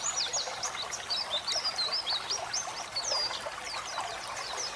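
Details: White-eye song for training pet birds, set over running water for relaxation: rapid high chirps and downslurred whistles strung close together above a constant water trickle.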